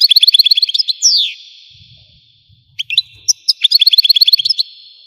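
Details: Algerian European goldfinch in song: fast twittering notes, a downward-sliding nasal note, a long held tone, then scattered chirps leading into another rapid twittering run.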